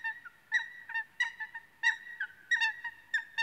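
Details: Eurasian coot (Fulica atra) giving a loose series of short, sharp, nasal notes with strong harmonics, some slurred or drawn out, roughly ten in three and a half seconds; otherwise quiet.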